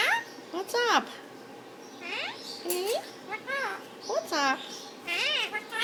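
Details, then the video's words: Caged pet Indian ringneck parakeet chattering at its owner and a bird in the next cage: series of arched, warbling squeaky notes and mimicked speech-like phrases, irregularly spaced, with a person speaking nearby. "My Indian Ringneck (Bobby) talking!"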